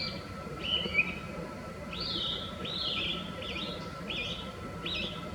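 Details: Chinese hwamei song recorded with cherry blossoms in view: rich rising-and-falling whistled phrases repeated roughly every second, over constant low rumble and a faint steady tone.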